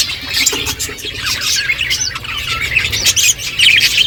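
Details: Pet budgerigars chattering while feeding: rapid twittering and rising and falling high chirps layered over one another, dotted with soft clicks.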